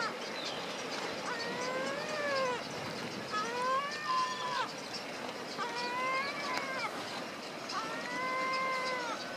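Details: Four long mewing calls, each gently arched and full of overtones and spaced about two seconds apart, from a group of yellow-legged gulls, one adult and three juveniles, at Alvor in Portugal's Algarve.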